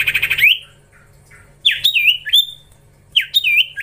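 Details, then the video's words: Young common iora being trained, calling actively: a buzzy harsh burst, then pairs of sharp rising-and-falling whistled squawks separated by short pauses, with faint low hum in the background. "Gacorrr ngelatih cipow cipoh anakan"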